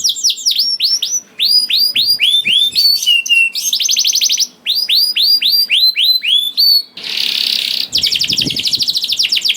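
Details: Song of a young canary, meant to coax silent canaries into singing. Bursts of curved downslurred notes alternate with dense rattling trills and a harsh buzzy roll, with soft cage knocks underneath.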